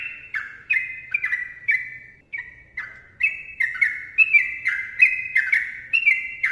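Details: Sooty-headed bulbul singing lively, rapid ropel phrases for lure training: bright descending whistles repeated in quick succession, a brief pause near two and a half seconds, then faster, louder notes.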